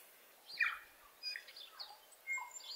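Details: A New Zealand bellbird in early spring in the Maungakotukutuku Valley, New Zealand, gives a string of clear, ringing notes and slurred whistles between about one and eight kilohertz, with short gaps, over faint hiss.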